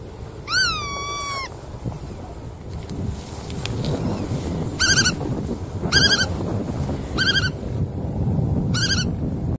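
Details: Bar-tailed godwit calling: one long, drawn-out note sliding downward, then a pause, then four short nasal arched calls about a second apart, with continuous low rumbling noise behind.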